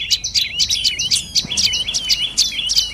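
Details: Close, clear dark-necked tailorbird notes: about three sharp, high chirps per second, each sweeping down then rising, repeated evenly over three seconds.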